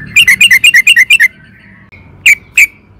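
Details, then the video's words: Trucukan, the sooty-headed bulbul, singing actively as a lure recording: a rapid run of about nine bright, chirping notes, a thin drawn-out tone, then two sharp single chirps. "pancingan trucukan gacor AMPUH BIKIN BURUNG TRUCUKAN GACOR NYAUT EMOSI"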